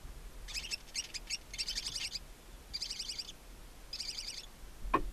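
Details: Two newly hatched barn owl chicks alone in a nest box on a chimney in Ságvár, Hungary, April 23, 2024, give high, scratchy twittering calls in quick rapid bursts, in four groups over five seconds, ending with a sharp click.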